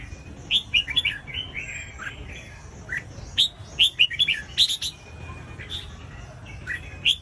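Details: Red-whiskered bulbul song played to get other bulbuls singing: lively, irregular runs of sweet whistled and warbling notes, some sharp and high, in phrases of several notes separated by short pauses.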